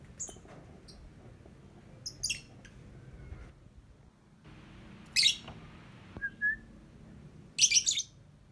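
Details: Lovebird song heard as widely spaced harsh chirps and buzzy squeaky bursts, with one short lower whistled note, over a quiet background.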